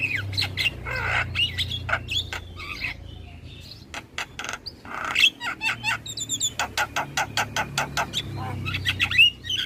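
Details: Javan myna song used as a lure so other starlings answer: mixed squeaky whistles and harsh notes, followed by long runs of evenly spaced dry chacks and a burst of thin high whistles.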